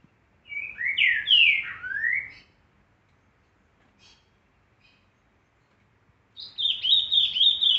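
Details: Green-winged saltator singing the 'boiadeiro' song type: loud, rich whistled phrases that swoop up and down, then a rapid warbling run.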